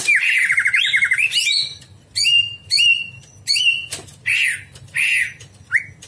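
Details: Greater green leafbird recorded at night as a training (masteran) song for cage birds: a fast rolling trill, then a lively run of bright, sweeping whistled notes in quick succession over a faint low hum.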